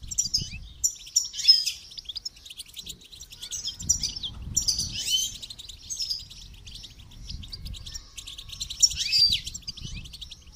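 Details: Goldfinch in song training, delivering bright, tinkling twitter phrases in bursts about every two to three seconds, mixed with liquid trills, over soft low thumps.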